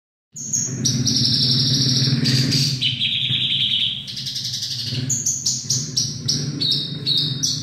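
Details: Javan bush lark singing high, thin sustained whistles, some held for over a second, then a faster run of short, stepped chirps; a steady low hum runs underneath throughout.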